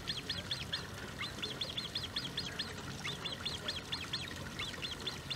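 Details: Great crested grebe with young, De Gouden Ham, Maasbommel, 1 August 2018: thin, sharp peeping notes in loose irregular groups over a noisy, rumbling background.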